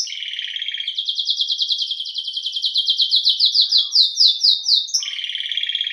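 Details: Domestic canary, known as canário-do-reino, singing a lively trilled song of fast repeated notes in rhythmic pulses, framed by lower rolling trills at the start and end.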